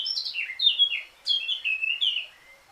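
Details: Eurasian blackcap song: rich, fluting warbled phrases that slide downward, delivered in two bursts separated by a short pause, clear and unaccompanied.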